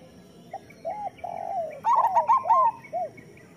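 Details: Local zebra dove song used as a master recording to coax lazy doves into singing: a few soft, separate coos, then a loud, quick, stuttering trilled burst and one final coo.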